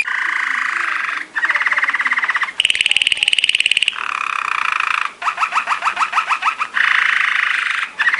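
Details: Waterslager canary training song: a sequence of tours, steady rapid rolling trills at mid pitch, a high ringing trill, then a series of quick drip-like descending notes and a return to rolling trills.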